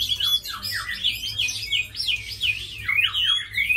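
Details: A tame Chinese hwamei kept as a fighting bird pours out a rapid, jumbled series of loud whistled slurs and warbling notes, packed closely with hardly any gaps.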